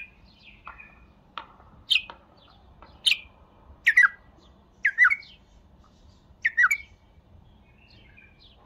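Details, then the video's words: A series of sharp, downslurred whistled notes, each about a second apart and some doubled, over a quiet background. "اقوه تغريده بلبل تمر"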